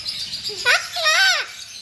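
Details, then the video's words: A pet cockatoo talking in Tamil in a hoarse, speech-like voice, asking phrases like "have you eaten?" and "what's your name?": a brief rising syllable, then a longer rising-and-falling phrase, over faint background hiss. "Cockatoo talking native language | Foreign bird speaking in Tamil"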